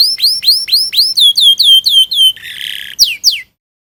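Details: Canary 'gacor' song for teaching young birds to sing: high, hooked chirps repeated quickly and evenly, then a short harsh rasping burst and two final sharp downslurred notes before silence.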